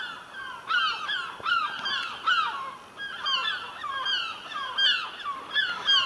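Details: Herring gulls circling in the sky near a rooftop chimney, calling noisily: overlapping harsh, descending yelps repeated in irregular bursts, several birds at once, outdoors with light background hiss.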